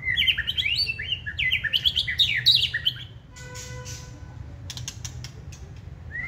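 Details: White-rumped shama kept caged, wild-caught and in its second season, noted for tail-flaring and singing readily: a rapid dense run of bright chirped and whistled notes for three seconds, then a faint tonal hum and clicks.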